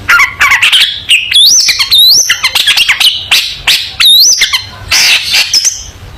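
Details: A long-tailed shrike sings energetically in a tutor recording for young shrikes, mixing high looping whistles, quick chips and rough buzzy bursts in a fast, varied stream.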